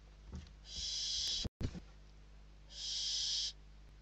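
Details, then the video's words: Two long hissing screeches from hungry barn owl chicks inside their Spanish nest as they fight over a delivered bird, with a brief knock and rustle between the calls. "Lechuza común - [Interior]- Płomykówki🐥🌹🍀🐥🌹🍀🐥🌹🍀- Dostawa ! Walka głodnych piskląt o ptaka"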